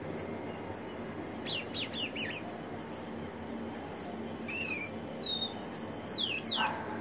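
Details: Ringed rufous-collared sparrow kept in captivity sings briefly: clear high whistles and quick descending chirps, several slurred notes in a row, then sharp upward and downward sweeps toward the end, over a constant low hum.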